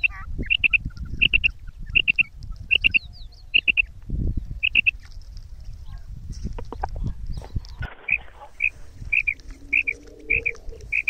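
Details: Female quail from Pakistan, a kirak and sirak mix voice used in hunting: high doubled notes repeated in a series, broken midway by low thumps and faint voices, then the paired notes resume quickly.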